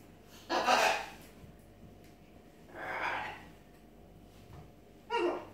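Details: Three separate breathy, rasping squawks from a pet macaw spaced roughly two seconds apart, the first and last sharp and loud, the middle one softer and more drawn out, indoors.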